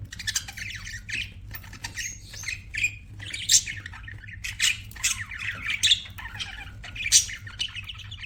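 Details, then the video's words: Pet budgerigars give lively, overlapping chirps and rasping squawks, fast warbling bursts with sharp high peaks, continuous chatter over a low background hum. "BUDGIES CHIRPING SOUND"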